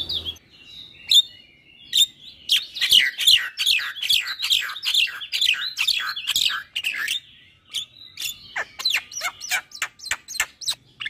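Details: Singing caged Javan myna used to spark song in mute or moulting mynas: a long dense run of harsh, buzzy chattering notes, a pause, then sharper clicks and chirps.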